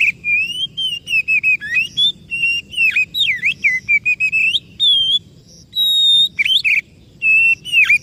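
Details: Oriental magpie-robin song used as a lure to prompt a silent or stressed bird to sing: loud, clear whistled phrases with rising and falling slurs, quick notes and a long steady high whistle, with short gaps between bursts.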